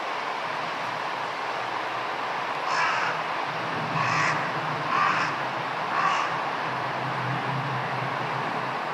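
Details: Large-billed crows crowding onto the top of a tower, pushing one another aside to perch at the summit as more fly in. Four hoarse caws come at roughly one-second intervals over a steady background hum of traffic or wind.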